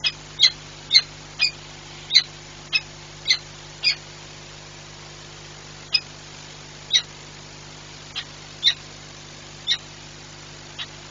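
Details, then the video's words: Peregrine falcon at the Orlen site in Płock, Poland, recorded 22 December 2022: short, sharp, harsh notes given singly at irregular intervals, about a dozen in eleven seconds, over a steady low mechanical hum. "Sokół wędrowny Orlen Płock"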